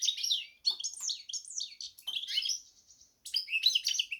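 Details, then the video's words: Goldfinch-canary hybrid singing short, quick phrases of sweet twittering and descending slurred notes, with small gaps between bursts. "hybrid Carduelis x Canary"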